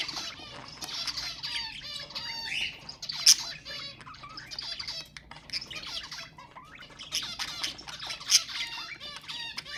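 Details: Budgerigar warbling chatter meant to stimulate other budgies, a continuous stream of fast high chirps, clicks and buzzy squawks with brief sharp peaks.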